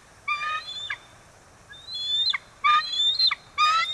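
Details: Bald eagle calling from the Kisatchie National Forest E-1 nest on the day the pair's first egg appeared, 9 December 2023: a string of shrill, harmonic chitters and thin rising squeals, coming in uneven bursts.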